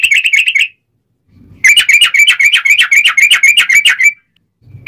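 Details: Sooty-headed bulbul singing a loud, rolling ropelan phrase for training other bulbuls. Rapid bursts of sharp whistled notes run together in fast chattering runs, broken by a silent gap, with a faint low rumble between phrases.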